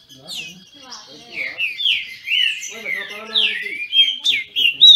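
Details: Rival captive Green-winged Saltators in Brazil sing in a singing dispute. A chain of downward-sliding whistles builds in loudness, mixed with low murmuring background sounds.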